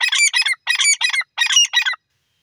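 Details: Loud, scratchy Grey francolin call of rapid paired phrases, three pairs in two seconds, then silence, with nothing else audible.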